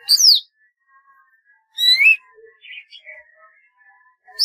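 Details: A golden-fronted leafbird gives loud descending whistles and a rising buzzy phrase, separated by soft chatter and quiet warbled notes, about two seconds between the loud phrases.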